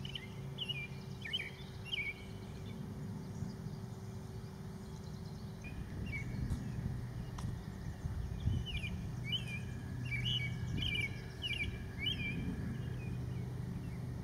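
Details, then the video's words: A rare leucistic American robin sings short, clear caroling phrases in loose bursts, rising and falling, over a steady low rumble of distant traffic. "American Robin Singing"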